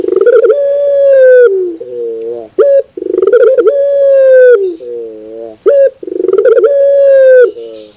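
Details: Barbary dove song for teaching other birds. The full phrase, a long level ringing coo, a lower wavering purr and a brief abrupt note, comes about every three seconds, three times.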